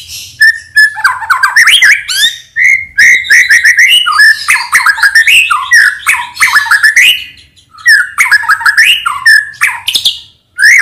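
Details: Morning song of a white-rumped shama meant to coax other shamas into singing: a long, loud run of varied whistles, sweeping slurs and harsh chattering notes, with brief pauses near eight and ten seconds.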